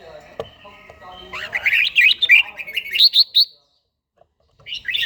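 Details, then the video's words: Red-whiskered bulbul singing in the morning during daily training: a fast run of bright, tumbling warbled notes that climbs in pitch for about two seconds, then silence and the start of another phrase. "chàomào HÓT SÁNG"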